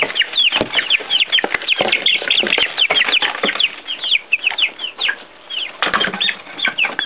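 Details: Chicks outside for the first time, eating earthworms; many shrill peeps in quick succession, a short lull near the middle, then renewed calling, with sharp taps and ticks mixed in.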